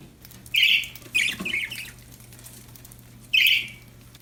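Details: Happy pet budgerigars give loud, bright chirps, two close together and then a chirp after a short pause, over a quiet indoor background hum.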